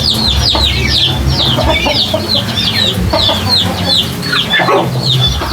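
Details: A flock of chickens making weird noises: many overlapping squeaky, downward-sliding chirps and clucks, dense and continuous, over a low rumble.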